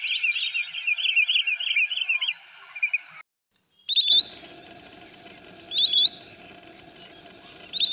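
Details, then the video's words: Sandpiper calling: a fast, chattering burst of high notes, then sharp, high whistled calls with a quick upward flick, spaced about two seconds apart over a steady background hum. "Sandpiper call Sounds"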